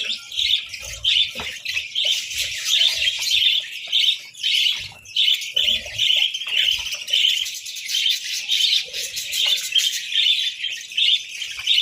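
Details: Budgies at a breakfast of eggs and bread in winter keep up a lively high chatter of short repeated chirps, rising and falling in loudness, with soft taps below.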